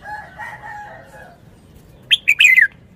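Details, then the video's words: Soft, lower warbling notes from the background give way to a red-whiskered bulbul's loud wild-style (phleng pa) phrase, a rapid string of bright whistled notes falling in pitch. "นกกรงหัวจุก 292 เพลงป่า แกนโต"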